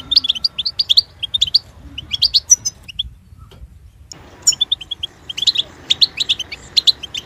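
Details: Goldfinch kept by a bird keeper, singing in bursts of quick twittering, tinkling notes and short buzzy trills, broken by a near-silent pause mid-way before the chatter resumes.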